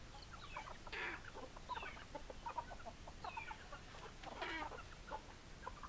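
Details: A group of hens clucking, with short guttural clucks and a few higher rising squawks scattered through, several birds calling at once over constant background noise.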